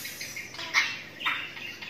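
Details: A lutino cockatiel gives two harsh, raspy chirps about half a second apart, with softer chatter between them over a faint hiss.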